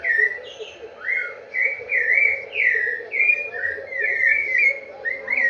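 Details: "Vovó viu" song of a rufous-bellied thrush: flowing, fluty whistles strung into a varied phrase, with notes sliding up then down and a faint low hum behind.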